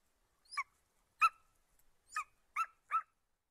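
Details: Five rough, squealing notes from an eagle, irregularly spaced about half a second to a second apart, each short and strained, against a quiet background.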